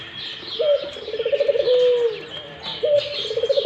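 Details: Barbary dove giving its rolling coo twice: a sharp rising onset, a series of quick throbbing pulses and a long, low descending note, with higher bird chatter around it.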